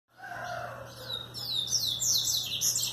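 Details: Rufous-collared sparrow singing, a few soft lower notes giving way to a high run of quick downslurred whistles near the end, with a steady low hum underneath.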